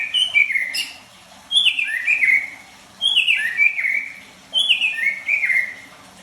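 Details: White-rumped shama singing short whistled phrases, each a high note sliding down into buzzy descending slurs, repeated about every one and a half seconds with pauses between.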